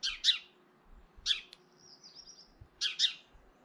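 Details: In early April a hefty European goldfinch threatens a rival goldfinch with rasping two-part calls, three loud paired bursts spaced over about three seconds, plus a faint thin twitter in between and a few low soft knocks.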